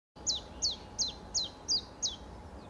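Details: Common chiffchaff singing a steady series of six sharp, high, downward-sliding notes, each about a third of a second apart, over faint low background hum.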